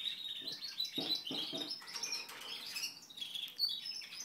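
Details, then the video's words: Canary singing a continuous, high-pitched song of rapid twittering trills and warbled chirps with no pauses. Louder bursts of sharp clicks come near the first and second seconds. "Canary singing"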